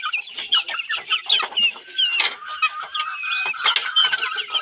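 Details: Australorp chickens look for food in a hand, making a busy mix of high, squeaky peeps and short, rising whistled notes, with soft clucks overlapping continuously from several birds.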